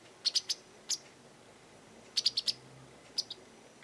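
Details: Japanese wagtail calling often in a garden, possibly making demands, threatening others or claiming territory: sharp, buzzy high notes in a quick cluster of three, a single note, then another burst of four.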